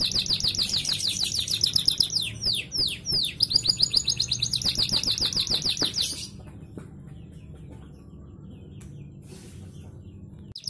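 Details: Canary song played to prompt canaries to sing. Rapid high trills and repeated sweeping notes pour out for about six seconds, then stop abruptly, leaving only a faint low hum.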